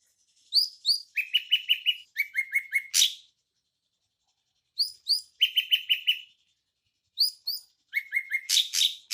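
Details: Song of drongos, crested and ashy types combined: three bursts separated by silence, each opening with short upslurred notes, then rapid chattering strings of flat notes, one burst ending in a harsh, rasping note.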